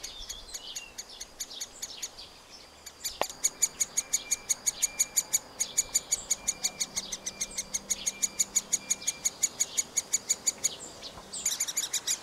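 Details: Nestling middle spotted woodpeckers at a cavity nest during feeding, recorded with a Panasonic FZ2000: softer calling at first, then a sudden click and loud, rapid, piercing chirps at about six per second.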